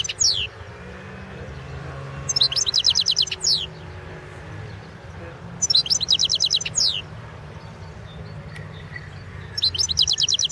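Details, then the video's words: Goldfinch song from a 2016 world championship competition recording, number 001/2016: three dense, ringing bursts of fast, high tinkling notes, each about a second long and spaced several seconds apart, over a constant background rumble. "Pesma štiglića"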